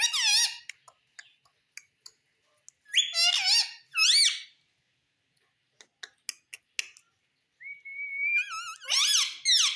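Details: Talking pet Indian ringneck parakeet indoors, said to say mummy and papa; bursts of harmonic squawky syllables, a long thin whistle, then more arched word-like calls, with clicks in the pauses.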